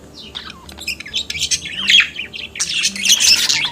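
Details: Budgerigar singing and chattering, with a falling whistled slur, then scratchy chirps rising into a dense, harsh warble.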